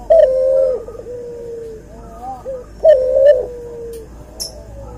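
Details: Two deep rolling coos with long trailing ends from a cuhu dove, a cross of white albino puter and puter pelung, separated by quieter soft notes and a brief high squeak.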